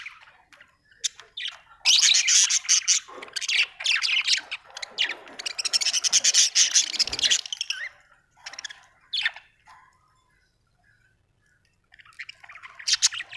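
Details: Budgerigars kept at home give a long stretch of rapid, rasping, buzzy warbling with fast clicking pulses, then fall quiet briefly before the chatter resumes.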